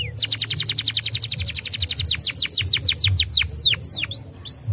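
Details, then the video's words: A canary sings a fast rolling trill of sharp high notes, slowing into longer downward sweeps and bright whistles, over a low background hum. "Kenari bahan Cepat bunyi dengan pancingan kenari ini!!"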